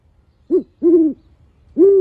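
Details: Captive male great horned owl from a bird show giving three low, rounded hoots. The first is clipped and short, and the next two are drawn out. There is little other sound.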